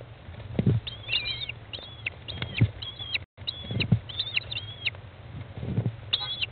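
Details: American kestrel mother feeding chicks, day 15, in a nest box halfway from hatching to fledging, 20 May 2011 at 13:54; thin high squealing calls come in short bursts, with soft low thumps and scraping in the box.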